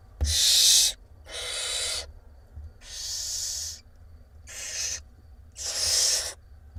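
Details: Mother barn owl feeding six hungry chicks in an Israeli nest box, 17 April 2021; the nestlings answer with five long, rough hissing screeches spaced about a second apart.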